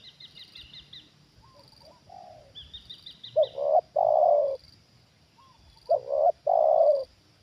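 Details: Spotted dove kept as a trained decoy, calling in response to a wild bird descending a second time. Two low coo phrases, each with short notes rising into a long rolling final coo, over high chirping from small birds.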